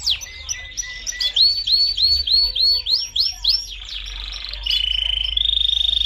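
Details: Caged canary singing forcefully: a fast series of repeated, down-slurred whistled notes, then a steady, high, buzzy rolling trill at the end.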